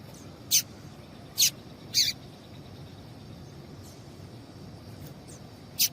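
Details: Double-collared seedeater female giving calls meant to excite males into singing: short piercing high chips, three strong notes in the first two seconds, then faint ones and a final loud chip, over steady low hiss.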